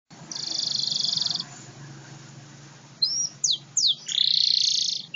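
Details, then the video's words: Local canary singing: a long high buzzy trill, a pause, then quick sharp downslurred whistles and another sustained rich buzzy trill, over a steady low hum. "Kenari Lokal Durasi 38 Detik"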